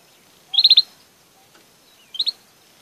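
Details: Belgian canary giving two short bursts of sharp trilled notes, four in the first and two in the second, separated by a pause over a quiet background.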